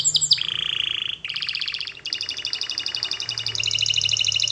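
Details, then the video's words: Canary singing a training melody: two quick descending whistles, then a long low rolling trill followed by steady rapid buzzy pulses that climb slightly in pitch. "Canary Singing Birds Sounds at its best Melodies Canary Bird song Training"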